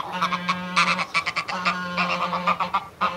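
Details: Close-up adult greylag goose making threatening cackles: a dense, fast chatter of hoarse honking notes, several per second, over a steady low hum.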